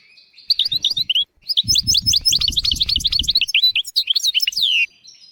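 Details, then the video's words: European goldfinch tutor song for teaching young goldfinches and canaries to sing without mistakes. A brief twitter and pause lead into a long, tumbling run of high chirps and slurs ending in a falling note, over faint low thuds. "تغريد طائر الحسون حفاضة لتعليم طيور الحسون والكناري بدون أخطاء"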